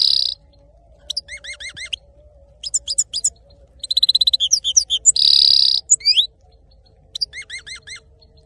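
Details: Male saira goldfinch singing: bright twittering phrases of quick repeated chirps, rising whistled notes and short buzzy bursts, broken by brief pauses, with a faint steady hum underneath.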